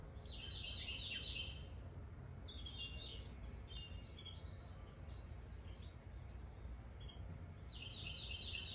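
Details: Bird singing in spring as a storm approaches: bright, high song with a buzzy trill opening and closing the passage, quick varied chirps and twitters between, over a steady low rumble of wind.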